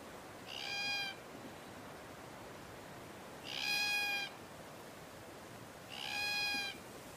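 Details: Glossy black cockatoo from a population in the Pilliga scrub, native forest in central New South Wales, Australia, that ranges in family groups. Three drawn-out, wailing, harmonic-rich calls, each under a second, come roughly every two and a half seconds over quiet background.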